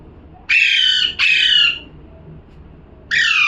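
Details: Parrot calling with loud, harsh squawks: two grating calls in quick succession, a pause of over a second, then a third, each rich and raspy with a slight downward slide.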